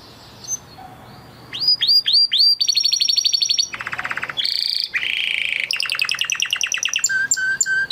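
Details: Crested Spanish Timbrado canary bred in 2020, kept in a flock, sings training song after a quiet start: looping upslurred notes, a fast rattling trill, a low buzzy roll, a gurgling tour and a final rapid metallic series.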